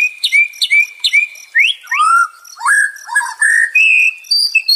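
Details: Richly varied White-rumped shama song, used to calm stressed shamas: paired ringing whistles, rising and falling slurs, a low warbled run, and clear high whistled notes near the end.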